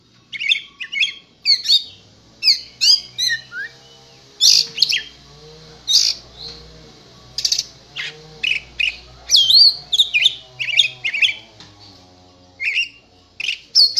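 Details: Oriental magpie-robin (kacer), contest-ready and trained on master songs, singing continuously: a long varied stream of whistles, slurred notes, chattering and buzzy bursts in quick succession, with a faint low hum beneath.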